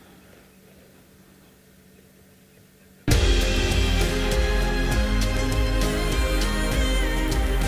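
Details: Quiet background hum for three seconds, then loud theme music starts abruptly and plays on, with no animal sounds.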